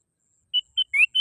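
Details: Call of a sooty-headed bulbul used as a trapping lure: after a pause, clear steady whistles alternate with a rising slurred whistle in a quick four-note series, sharp and tonal.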